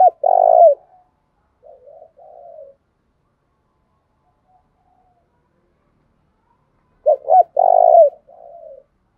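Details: Cooing of a spotted dove used for daily voice training. A loud drawn-out coo with a falling end is followed by soft, wobbly trailing notes. After a long silence, a fresh phrase opens with two quick notes before the long coo.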